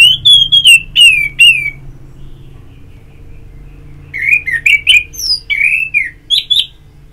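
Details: Orange-headed thrush ngeplong-style therapy song from Singaraja, North Bali, meant to stimulate singing: clear, slurred whistled notes in a quick run, a pause, then a second burst of varied rising and falling whistles over a low hum.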